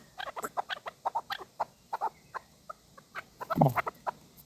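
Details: Chukar partridge kept as a hunting bird, giving rapid runs of short, dry clucking notes in quick irregular series, with a louder, harsher burst near the end over faint background hiss.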